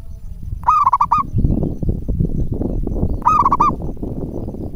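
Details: A local zebra dove used as a lure gives two quick, rhythmic, bubbling coo phrases made of rapid pulses, separated by about two and a half seconds, with constant low rumbling background noise.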